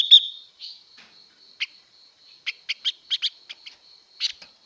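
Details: Female blue-winged leafbird, its song meant to excite males, gives one loud high note and then a loose series of short sharp chips against a steady thin whine.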